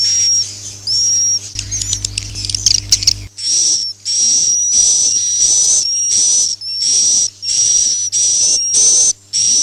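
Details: Swiftlet roosting lure for farming, suara inap "Masal": a few high whistles, a burst of dense clicking, then a long run of rapid, repeated hissy chirrs with short breaks.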